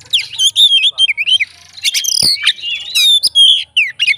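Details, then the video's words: Fighter Oriental magpie-robin singing to provoke rivals, a loud, rich, varied song of slurred whistles, rapid chirps and harsh buzzy notes delivered in quick bursts with short pauses. "BUNYI BURUNG KACER FIGTER, FULL ISIAN KACER LAIN LANGSUNG ON"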